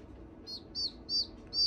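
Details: A newly hatched, vigorous and curious chick, which the owner thinks is likely a Red Junglefowl, gives four high, short peeping chirps about every third of a second, each dropping slightly in pitch, over a faint low hum.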